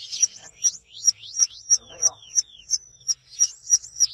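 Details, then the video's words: Lovebird in active ngekek song with open beak: sharp, high chirps repeated about three times a second in a steady series, with a few softer downslurred notes between them. "LOVEBIRD GACOR NGEKEK BUKA PARUH"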